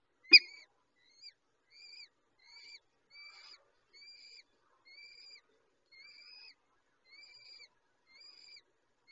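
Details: Peregrine falcon chicks being fed by an adult female at the nest: thin, drawn-out, slightly arched wheezy calls repeated roughly once a second, opening with one sharp click.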